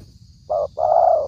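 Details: Spotted dove call used as a trapping lure: one short low coo followed by a longer, fuller drawn-out coo, with low background rumble.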